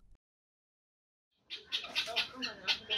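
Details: Zoo guineafowl: after a silent start, harsh, grating, high-pitched cackles repeated rapidly about twice a second.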